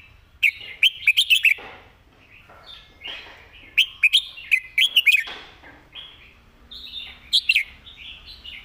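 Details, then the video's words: Clear master song of a Red-whiskered bulbul, sung with good phrasing and distinct notes. Bursts of rapid, bright chirps come twice, then a shorter final phrase, with softer, thinner warbles in the gaps. "สำนวนดี ร้องชัดคำ เพลงแม่บท"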